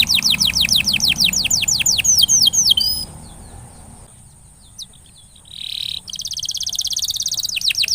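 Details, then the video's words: Canary lure song intended to stimulate a non-singing canary: rapid repeated downward whistled sweeps, a short pause with hiss, a brief buzzy note, then a fast high rolling trill and more swept notes. "Kenari gacor...!!! paling jitu memancing kenari macet jadi lebih rajin bunyi ( pancingan kenari)"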